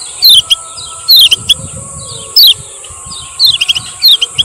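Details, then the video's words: Male lemon-bellied white-eye from Lombok, recorded as a lure to make idle birds sing: short groups of high, falling chirps about a second apart, over low rumbling noise and continuous hiss. "SUARA BURUNG KECIAL KUNING MASTERAN KECIAL KUNING PANCINGAN"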